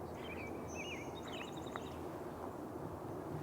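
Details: Two Rufous Hummingbirds squabble just overhead at ch'atlich Marsh, British Columbia, Canada, on a windy April 27 morning, in thin, high squeaky chips and quick buzzy twitters, one buzzing past, over steady outdoor noise.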